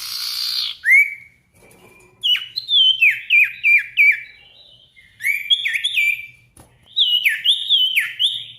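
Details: Sirtu lure recording to make silent birds sing and answer a challenger: a buzzy burst, then a fast series of descending whistled notes repeated about three times a second, and later sliding whistles.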